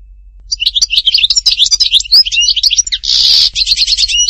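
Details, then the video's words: Goldfinch song recorded at Htatba in Tipaza: after a short quiet start, a rapid, chattering stream of high liquid twitters broken by a brief harsh buzzy burst, then more quick twittering. "chant chardonneret htatba tipaza حسون حطاطبة"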